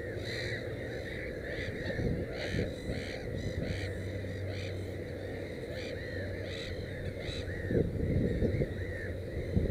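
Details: Black-headed gull at its nest with three chicks: harsh, arched calls come in quick, irregular bursts, often overlapping, over a steady low rumbling background.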